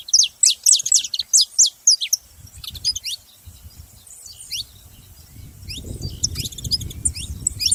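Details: Saffron finch calling with a fast run of steep, high chirps for about two seconds, then scattered thinner notes over a low rumbling background.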